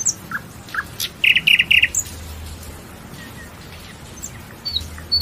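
A nightingale sings varied phrases: scattered sharp chirps and high whistles, then a quick run of four loud, even notes. The background is quiet.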